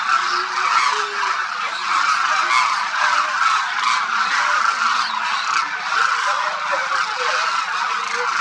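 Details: Vast winter flock of Demoiselle Cranes, thousands strong, at Khichan village in Rajasthan, India, feeding on the grounds; continuous wall of overlapping rolling, honking calls from many birds at once, steady in loudness throughout.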